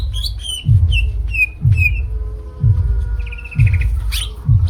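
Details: Greater green leafbird (cucak ijo) delivering repeated down-slurred whistles, then a rapid buzzy rattle near the end. A strong low beat thumps about once per second.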